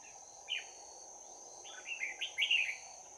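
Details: Red-whiskered bulbul with a bell-like fighting song, recorded during trapping on 11 January 2019. One sharp note is followed after a pause by a rapid rolling burst of slurred whistles, with constant insect noise in the background.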